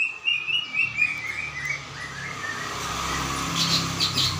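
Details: Greater green leafbird singing energetically, recorded 21 December 2024: a run of short bright whistled notes in the opening second and a half, then a steady rushing noise like passing traffic.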